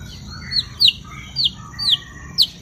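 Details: White-rumped shama singing loudly: sharp, high whistled notes that slide downward, given singly about every half second, with soft lower warbles between them and a constant thin high hiss.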